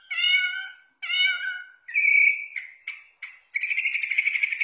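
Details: Male Chinese hwamei (Garrulax canorus) in full song: two drawn-out, rich, meow-like slurred notes, then a clear sustained whistle, a few clipped notes and a fast rolling warble.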